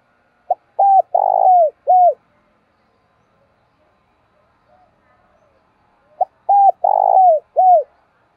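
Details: Spotted dove kept as a decoy, calling and urging to attract wild doves in the 'thổ' voice style; two mellow coo phrases, a clipped opening note, a longer throaty middle coo and a falling last note, with a quiet pause between.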